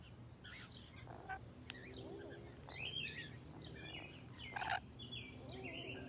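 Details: Rainbow lorikeet close up at a zoo: shrill, overlapping chirps and squeaks of chatter, with a louder harsh screech near the end over a low background hum.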